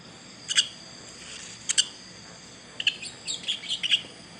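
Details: Young bird calling: a few short, sharp high chirps in pairs near the start, then a looser run of quick chirps toward the end, over quiet background hiss.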